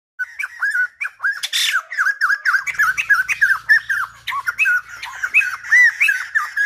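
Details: Silver-headed babbler singing, its song likened to a lumba dancer: a rapid, continuous run of loud squawky whistled notes, many rising then dipping, tumbling along without pause for nearly seven seconds.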